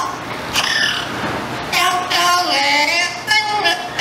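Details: A captive Yellow-naped Amazon that has lived with people all its life and knows the lyrics of seven songs sings in a human-like voice, with wavering, tuneful notes in short bursts, like snatches of a song.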